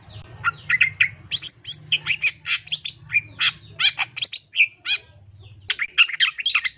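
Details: Varied, mimicry-filled song of a long-tailed shrike meant to trigger other shrikes to sing: continuous chatter of buzzy, chirping and slurred whistled notes at a lively pace, with a low background hum through most of it.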